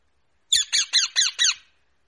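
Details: Rose-ringed parakeet uttering a single fast series of five harsh, piercing screeches, evenly spaced about a fifth of a second apart, in an otherwise quiet room.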